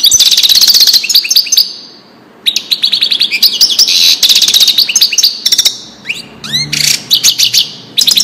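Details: Goldfinch song in the Widani style, meant for teaching chicks and hybrids; loud continuous tinkling twitter with rapid trills, a brief quiet gap near two seconds, and clear upward-sweeping whistled notes toward the end.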